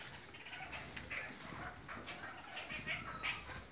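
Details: Kakariki, red-crowned parakeets of several colour varieties, give soft, brief chirping notes scattered among low background noise.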